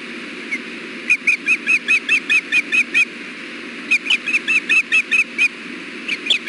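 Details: Hellgate ospreys at their nest on 6.4.16, around 4:00 pm, as the male delivers fish and feeds the female. Two long, even strings of piercing whistled chirps, each roughly ten notes, separated by a short gap.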